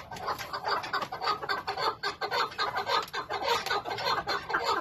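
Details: A partridge kept and fed for hunting gives a steady run of harsh, clucking chuk notes, nearly two a second, mid-pitched and slightly uneven in rhythm.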